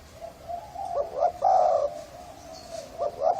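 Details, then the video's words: Thai-strain spotted dove, hoarse voice, used as a lure for males and females: soft lead-in coos, two short rising notes, then a strong husky drawn-out coo, repeated at the end. "Tiếng chim cu gáy thái giọng khàn gáy gù kích trống mái kích bổi"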